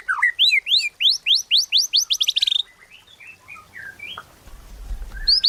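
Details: White-rumped shama song played as a lure to make captive shamas sing: a rapid series of about a dozen loud downward-slurred high whistles, ending in a brief trill, followed by softer scattered notes.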